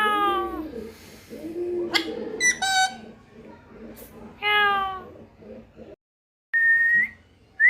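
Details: Parrot producing descending, nasal squawks and brief chattering notes, then a clean whistled note near the end, with soft cooing underneath.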